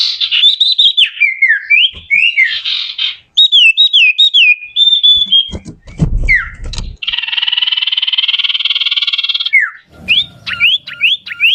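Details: Common iora chattering song variation: looping, slurred whistles that rise and fall, a burst of sharp downslurs, a long harsh buzzy rattle lasting over two seconds, then quick rising whistled notes.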